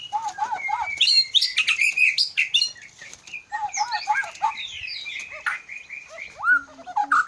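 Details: White-rumped shama, Aceh Leuser type, caged at an Indonesian bird farm in Aceh: repeated low warbled phrases alternating with bright high trills and long clear whistles, ending in rising slurred notes.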